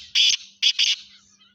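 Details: Partridge (teetar), a Sindhi Laka Gangas cross, giving three loud, harsh, rasping notes: one burst, a short gap, then two close together, over a faint steady hum.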